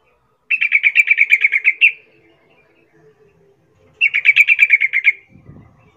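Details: Sooty-headed bulbul calling to provoke other bulbuls into answering: two rapid rattling series of bright chirps, each about a second and a half, separated by a pause; faint low hum and a brief rustle at the end.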